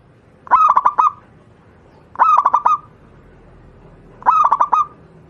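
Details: Wild local zebra dove, Javanese perkutut, sung as a master voice for training other doves: three identical phrases about two seconds apart, each a rapid burst of four or five stuttered notes ending in a brief steady coo.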